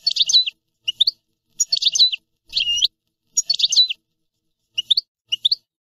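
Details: European goldfinch singing in short separate bursts: clusters of sharp, tinkling twitters and brief rising chirps, spaced by pauses of about half a second to a second.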